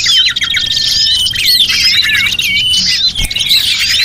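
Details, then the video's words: Many small birds call together in a recording played as a lure. Sharp squeaky chirps and curling whistled phrases overlap densely, with one short click-like tap partway through. "Suara Pikat Burung Kecil"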